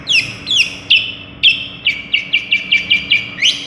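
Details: Long-tailed shrike known for imitating other birds, here a fast series of short descending chirps, a few spaced slurs giving way to an even run of about ten quick notes, ending on a rising note.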